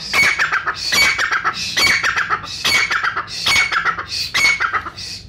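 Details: Pakistani brown francolin calling for hunters: continuous series of loud, grating, rhythmic phrases, each a quick run of rasping notes with a high piercing whistle, repeated over a second apart.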